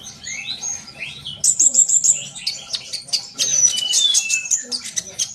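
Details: Sunbird produces a bright, rapid series of high ticking chirps and short whistled phrases, growing louder and denser midway, intended to get young birds singing.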